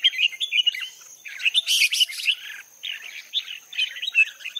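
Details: Female red-whiskered bulbul calling to stimulate males to sing; busy overlapping chattering and warbled notes with a harsher burst in the middle, continuous throughout.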